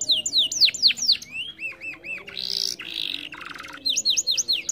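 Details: Canary singing, used to stir a lazy singer, with quick high descending whistles, lower hooked notes, two rough buzzy phrases and a final run of falling whistles.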